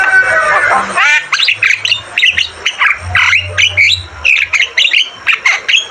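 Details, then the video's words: Javan myna in energetic song for training caged birds: after a brief buzzy rattle, loud harsh squawks and chattering syllables come in quick, rhythmic bursts about every half second. "Masteran burung jalak kebo gacor Terbaik"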